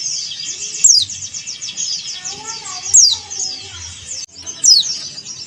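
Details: Male yellow-breasted Bali-type Oriental white-eye (dakun bali) calling to a rival: three piercing high notes sweep downward about every two seconds above steady shrill twittering, with faint voices in the background.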